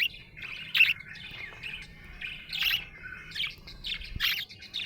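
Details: Happy budgie producing clipped, raspy chirps and short warbled phrases in quick succession, with brief gaps between bursts.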